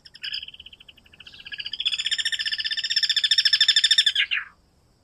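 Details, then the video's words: Guira cuckoo (Guira guira) singing: a long, harsh, rapidly pulsed trill that begins softly, swells to a loud churring peak over about three seconds, then stops abruptly. "Anu branco,Guira guira, cantando -canto do anu branco"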